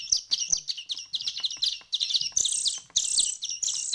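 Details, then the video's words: Young small birds, hand-fed for one week, chirping in quick high overlapping notes that grow louder and harsher toward the end, with light handling noises beneath. "كيف أصبحت فراخ العصفور بعد مرور أسبوع من التأكيل اليدوي"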